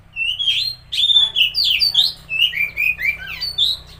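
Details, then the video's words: Oriental magpie-robin song used to stimulate a silent or stressed bird: a continuous run of clear whistled phrases, slurred rising and falling notes with sharp upsweeps, varied and rich, with a faint low hum beneath. "Pancingan Suara Burung Kacer Macet/Stres"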